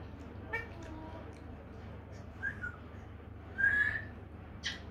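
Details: A tame, talking pet grey parrot gives two short, clear whistles, the second held and level, with a sharp click and a harsh squawk-like note against a low steady hum.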